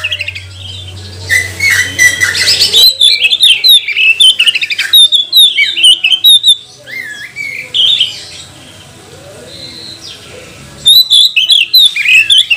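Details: An Oriental magpie-robin, recorded as a lure to provoke other magpie-robins, sings a rich, varied run of sweet whistles, harsh squawks and rapid warbled phrases, with a low hum at the start.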